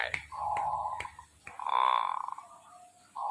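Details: Zebra dove in full song, giving two drawn-out mellow coos separated by a short pause, the second swelling and pulsing, with a few sharp clicks near the start.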